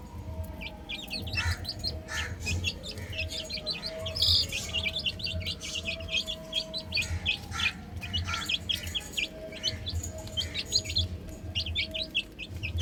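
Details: Many chicks chirping while playing on a roof: continuous high peeps tumbling together, with a steady mid-pitched tone and a low droning rumble in the background.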